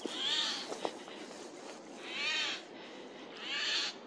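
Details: Harsh calls of a Eurasian jay heard loudly in a forest on 15 April 2024: three grating screeches roughly 1.5 seconds apart, plus a couple of brief knocks early on.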